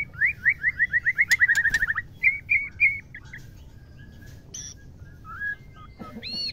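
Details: Female white-rumped shama voice used to excite males into breeding condition: a fast series of about fifteen sharp upslurred notes in a row, then three rolling whistles, scattered clicks and a rising whistled note near the end.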